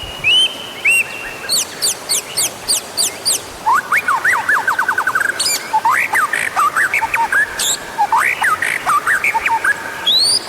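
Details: White-rumped shama song used as a lure to prompt other birds to sing: varied, loud phrases of quick upslurred notes in rapid series, sharp repeated chips and sustained whistles, over a steady background hiss.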